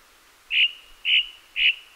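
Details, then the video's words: A thrush sings three short, bright, high notes, each repeated about every half second, over a quiet background. "The sound of a thrush singing"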